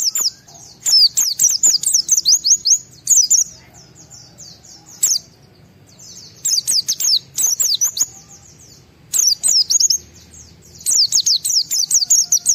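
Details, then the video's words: White-eye singing in a state of high excitement, meant to make other white-eyes sing: recurring bursts of rapid shrill chirps and slurred whistles, each lasting one to two seconds, separated by short silences. "Pleci Mental baja EMOSI Tinggi ampuh mancing semua pleci segera gacor buka paruh"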